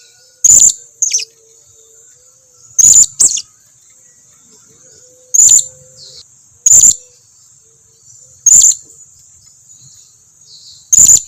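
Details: Blue-crowned hanging parrot calling as a lure so other birds answer: sharp, high squeaky notes in pairs and singles repeated roughly every two seconds, over a faint unbroken high whine.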